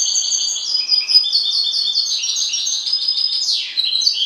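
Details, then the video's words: Loud, close song of a pet goldfinch: a rapid, continuous stream of tinkling twitters and trills, with one sweeping downward slur partway through. "MI JILGUERO"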